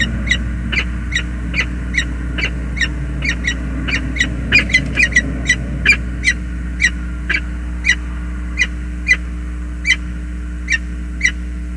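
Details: Male and female peregrine falcon meeting at the nest, James River Bridge, USA, 20 February 2022. Series of sharp, scratchy chip notes, bunched and rapid at first, then slowing to about one every half second, over droning traffic noise.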